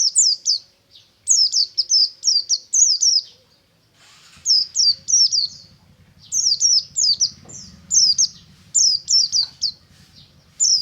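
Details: Buxtomi white-eye giving ngalas song in the morning, with nearly continuous rapid bursts of high, falling whistled notes and a brief pause midway, while a low buzzing hum runs under the second half.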